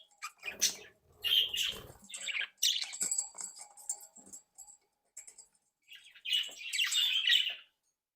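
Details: Active, playful budgerigars of a captive breeding flock: scratchy chirps and clicks, a quieter stretch of soft ticks, then a loud bout of high warbling chatter.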